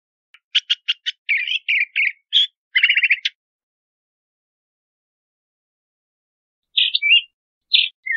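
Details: Crissal thrasher singing a burst of rapid staccato notes and harsh chattering phrases for about three seconds, then falling silent before two brief warbled phrases near the end.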